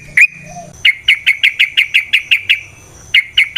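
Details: Yellow-vented bulbul (trucukan) song intended to provoke fighting: a rapid, even train of about ten identical sharp chirpy notes, followed by a short pause and a few more.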